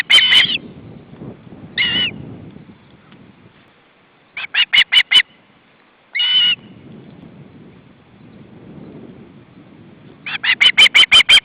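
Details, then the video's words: {'caption': 'Three hungry young ospreys at an Estonian nest in August 2012, two recently fledged, beg as the male brings fish: bursts of shrill, piercing calls in quick runs, separated by pauses filled with low rumbling background noise.'} "Three hungry ospreys"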